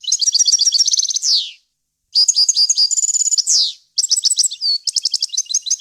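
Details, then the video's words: Goldfinch song for training fledglings, varied wild-language style: three quick bursts of high, tinkling chirps and rattling trills, the first two ending in downward sweeps, separated by brief silences, no background noise. "غناء طائر الحسون ، صوت صافي وخالي من الاخطاء لتسميع الفراخ"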